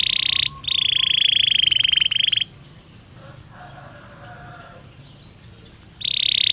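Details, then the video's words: Belgian canary in natural song: a short buzzy trill, then a long, even, rattling roll held for nearly two seconds, a quiet pause with soft low notes, then the rattling roll starts again. "Som de 1 Hora com Canario Belga Cantando Naturalmente"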